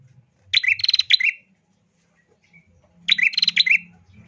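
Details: Female bar-winged prinia voice used to get males singing fast: two loud, rapid, scratchy chirp series about two and a half seconds apart, each closing with a slurred downward note, low hum behind.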